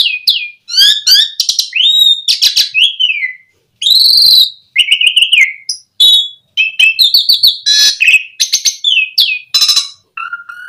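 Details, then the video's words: Asian pied starling singing to lure other starlings into full, rich song: rapid sequences of whistled slurs, rising and falling notes, harsh buzzy bursts and chattering phrases with only brief gaps, ending in a lower whistle. "Suara Jalak Suren Memancing Burung Jalak Biar Cepat Full Isian Mewah"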